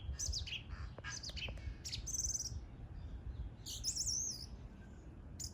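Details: Lively bird song of rapid high twittering notes, a buzzy trill and a wavering warbled whistle, irregularly spaced, with steady low background noise underneath.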